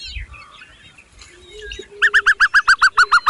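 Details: Hungry chicks fed by their mother give loud, sharp repeated peeps about every quarter second in a steady run, after softer scattered twitters and a low note at the start.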